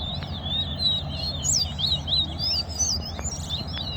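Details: Towa-towa, or chestnut-bellied seed finch, singing during a club competition round: bright, high whistled notes that rise and fall in short twisting phrases, with a man counting aloud and low background rumble.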